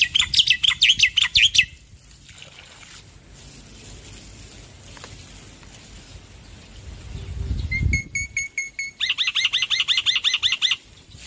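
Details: Black-winged myna male in full loud song, opening with a fast buzzy trill, a quiet gap, a few thin whistled notes, then another rapid repeated buzzy series.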